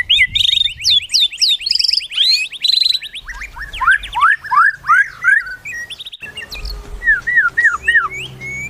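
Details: White-rumped shama with a melodious, changing song: a fast high trill, rapid upswept note strings, then looser rising whistles, with a faint low hum underneath.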